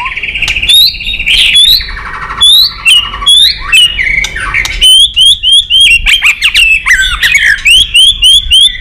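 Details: Excited white-rumped shama in combative song with repeated tack calls: dense high whistles, fast looping notes and sharp clicks, accelerating into a quick chain of bright repeated phrases.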